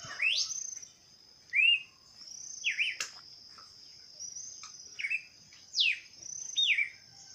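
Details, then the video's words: Wild bird song outdoors: a series of separate clear whistled phrases, some sharply rising, others short falling slurs, spaced about a second apart, over a steady high insect-like hiss. "Canto de pássaros"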